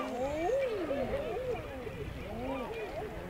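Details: Male common eiders calling from nearby water on the Isle of May, Scotland: a chorus of mellow, arched ah-hoo coos rising and dipping in quick succession, overlapping one another, with a faint murmur of seabirds in the background.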